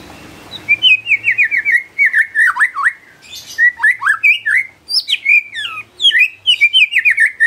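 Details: Lure song of a persistently singing white-rumped shama, meant to make other shamas sing: rich, continuous whistled phrases with quick up-and-down slurs, bright rising notes, and a soft room hum at the start.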